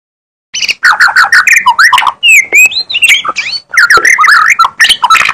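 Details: Magpie-robin singing energetically: a loud, continuous run of varied whistles, harsh squawky notes and rising and falling slurred phrases, with dense rapid bursts and a brief pause near the middle.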